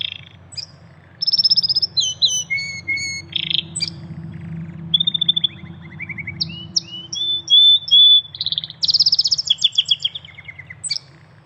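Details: Canary in nature giving a varied song of high whistled notes, sharp chirps, rolling trills and buzzy bursts, with short pauses and a low steady background hum.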